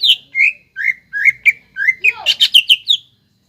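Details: Greater green leafbird in lively full song, used as a lure to excite young leafbirds into singing: clear downslurred whistles, then a fast burst of sharp, ringing notes with a lower slurred note beneath.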